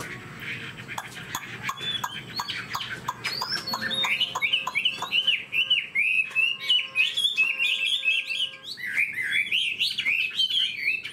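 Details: A caged, fan-tailed Chinese hwamei, described as a good fighter, sings a fast, continuous stream of loud, varied whistles and slurred rising notes, with sharp clicking sounds scattered throughout.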